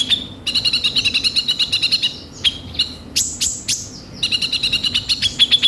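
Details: Sunbird (kolibri ninja) lure recording of lively song full of harsh filler notes: fast bursts of sharp, high chipping notes repeated in rapid trills, pausing briefly before several higher, sweeping squeaks, then resuming the rapid chatter.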